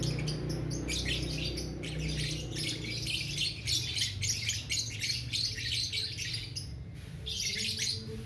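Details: Balibu (young) lovebird in full ngekek song, a long run of rapid high chattering: buzzy twittering notes packed into continuous bursts, a brief pause near the seventh second, then more chatter over a steady low hum.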